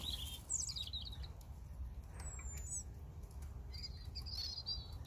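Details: European robin singing: a short burst of high jumbled warbling at the start, a long thin descending whistle, then a second tinkling phrase near the end, with constant low background rumble.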